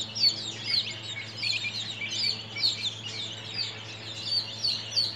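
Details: Baby chickens, thirteen days old, calling together: a busy stream of sharp, high peeps and short chirps overlapping throughout, with a constant low hum underneath.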